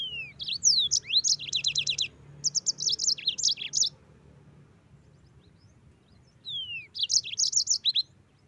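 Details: Yellow-fronted canary song used to train other cage birds: about four seconds of rapid high trills, chirps and downslurred whistles, a pause of nearly three seconds, then another short burst.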